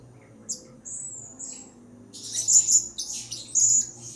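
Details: Blue-crowned hanging parrot calling actively, used as a lure recording: after a soft low hum, faint thin high whistles, then louder clustered shrill high twitters in the second half.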